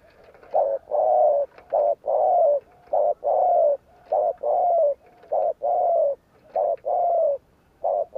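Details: Spotted dove cooing in a fast "gù kích" style used to provoke other males: short coos paired with longer falling ones, repeated steadily, about a dozen notes.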